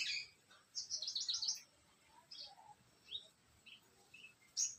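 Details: Quieter branjangan (bushlark) song over a low background hum: a fast chattering phrase, then scattered single high chirps and short notes with gaps between them.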